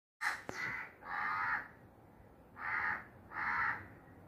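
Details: Crow calling in a series of harsh, hoarse caws, four broad blocky calls of about half a second each with irregular gaps, preceded by a sharp click near the start, over a low steady background hiss.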